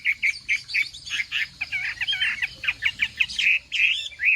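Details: Chinese hwamei in a morning singing contest, practising its voice; bright, rapid whistled notes repeated in a brisk rhythm, some slurred and warbled, ending with loud up-and-down whistles.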